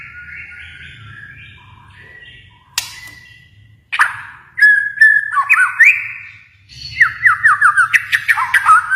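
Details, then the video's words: White-rumped shama from Kalimantan, a songbird kept by fanciers, giving sharp whistled notes and loud rapid series of falling and rising slurred whistles, with soft low hum underneath. "murai batu Kalimantan"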